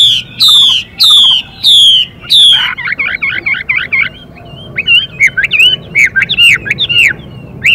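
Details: Female Chinese hwamei hissing quickly beside a singing male: four loud harsh downslurred calls, then a run of wavering notes and quick rising whistles.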